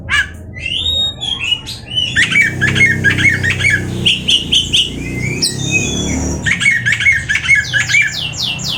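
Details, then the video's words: Oriental magpie-robin (kacer) singing a jumble of sharp chirps, whistles and rising sweeps over a steady low rumble of background noise, with notes repeated quickly in the second half. "awas Kacer nya jebol emosi dengar suara Kacer ini"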